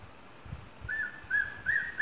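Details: Ornate hawk-eagle at Costa Rica Sky Adventures, Arenal, calling with a run of clear, high whistled notes, about three per second, each with a slight upward lilt, over a faint low rumble.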